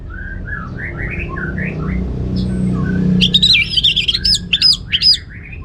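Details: Captive orange-headed thrush singing in the ngeplong style, kept in Bali, Indonesia: soft low whistled slurs at first, then a loud burst of high, rapidly varied warbling notes with sharp upsweeps.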